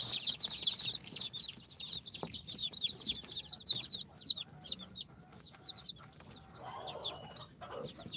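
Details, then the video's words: Baby chicks four days after hatching in an incubator, mixed Sultan, Golden Sebright, Cochin and booted breeds, peeping loudly in a dense burst that thins to separate sharp falling chirps, several each second, with a soft rustle near the end. "Chicks hatched from the incubator- Day 4 - Tatlı Civcivler - Cute chicks🐥- كتاكيت"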